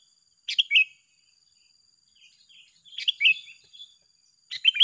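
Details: Two sooty-headed bulbuls duel in song, trading brief bubbly phrases of sharp chirps ending in a slurred note, about three phrases spaced a second or two apart over a faint steady high tone.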